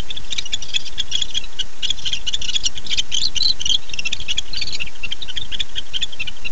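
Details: Barn owls at a nest at night, recorded at 10:37 pm on 9-11-15 as the male returns and the female answers his call. Dense, irregular bursts of hissy, rasping notes run over a steady background of rapid, regular ticking.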